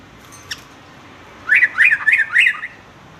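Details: Sooty-headed bulbul song as a model for young males: after a faint click, four quick, looping whistled notes delivered in about a second.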